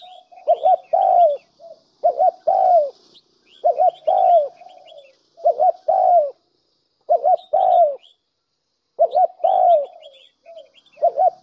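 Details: Spotted dove calling on a decoy recording used to lure doves: repeated low phrases of a quick double note and a long downward coo, about one every one and a half seconds, over faint high-pitched bird chirps.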